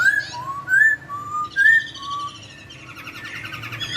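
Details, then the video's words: Laughingthrush in sweet song, the kind that makes another laughingthrush join in: five clear whistled notes alternating high and low, followed by a long dry buzzy rattle. "KICAUAN POKSAY YG MERDU MEMBUAT POKSAY LAIN LANGSUNG NYAUT"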